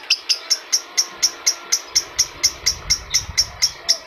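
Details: Lure sound of an adult lovebird for stimulating other lovebirds: crisp, high-pitched chirps spaced evenly about four per second, with low rumbling noise underneath in the second half.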